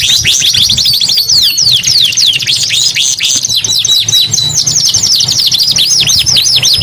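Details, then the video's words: A canary sings nonstop, pouring out dense, high, fast-repeated trills and downward-sweeping whistled notes, with a steady low hum underneath. "KENARI GACOR 2 IN 1 | CANARY SINGING"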